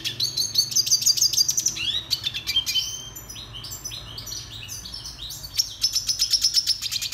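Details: Red siskin (Spinus cucullatus) song made of rapid high rattling trills, about two notes a second, broken by twittered chirps and downslurred notes. The trill returns toward the end.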